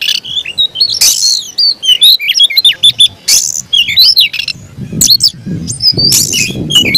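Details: Aggressive fighting song by an Oriental magpie-robin in captivity, with loud harsh bursts interspersed among rapid whistled phrases and chirps; soft low rumbling noise appears toward the end.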